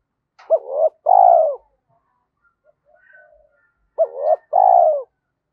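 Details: Spotted dove decoy bird cooing in the thunder-voice style: two phrases, each a short rising-falling note, a brief hooked note, then a long, low, slightly descending coo, separated by a few seconds of quiet.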